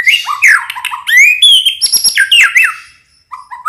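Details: Dense, loud song of a white-rumped shama, played to coax other birds to answer: rapid upslurred and downslurred whistles, ringing high sustained notes and chattering runs, ending with a short pause and two quieter notes.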